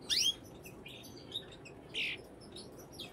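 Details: Brambling giving a loud descending chirp at the start, a burst of softer twitters, and a harsher buzzy note around two seconds.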